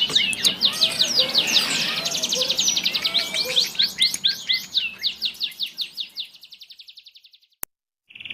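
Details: Canary in full song performing a long roll: an extended rapid trill of high repeated notes that slows and fades over several seconds, followed by a sharp click and a brief high note.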